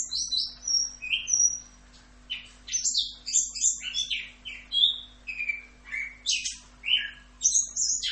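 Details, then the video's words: Orange-headed thrush (anis kembang) singing in a training tutor recording in a full rock'n roll style: a rapid, varied run of high whistles, sharp slurred notes and chattering bursts, loud phrases coming about every second, over a faint steady low hum. "MASTERAN ANIS KEMBANG FULL Rock'n Roll"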